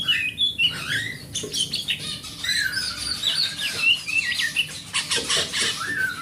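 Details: Large-bodied forest oriental magpie-robin kept at home, its song used to trigger singing in silent birds: fluent melodious whistles and downslurred notes blending into dense scratchy warbling.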